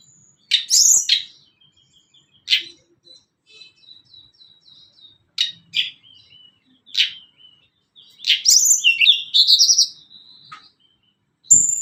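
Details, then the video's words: Blood-breasted flowerpecker, called tledekan gunung, singing as a training lure for young and adult birds: sharp high chips and soft thin twitters, ending in a fast jumbled burst of high wavering notes. "Tledekan gunung cocok buat pancingan burung bahan / burung dewasa"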